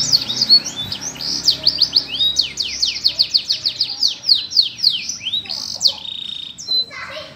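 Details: Canary singing in a lovebird cage, a lively run of rapid high downward-sweeping whistles repeated several times a second, ending in a held steady note and softer trills.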